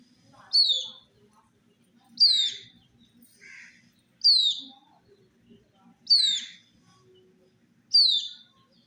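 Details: Chicks of a colored chicken drinking water in summer, peeping steadily: five bright, falling whistles roughly every 1.8 seconds, interleaved with faint, lower, raspy chirps.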